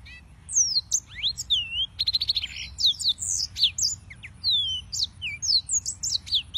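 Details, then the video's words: Continuous song of a yellow-fronted canary: tumbling high whistles, downslurred and upslurred notes mixed with a quick buzzy rattle of repeated clicks, all delivered without pause over several seconds. "Suara Burung - (Serinus Mozambicus) White-tipped Green Singers Singing"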